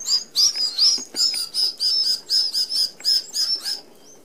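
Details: Australian Red-browed Finches feeding as a flock at an open aviary feeder whose mesh excludes larger birds; a rapid series of high, piercing chirps, roughly three per second, ends in a brief quiet pause.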